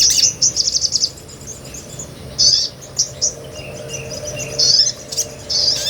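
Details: Sunbird ngobra song, recorded for training songbirds: a short rapid high trill, then sparse bursts of sharp chips and brief twitters separated by quiet gaps.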